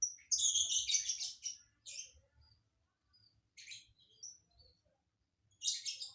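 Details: Lovebird performing an unusual song fill: a rapid run of harsh, buzzy, high chatter lasting over a second, then scattered shrill squeaks and a final rasping burst, over faint low rumble.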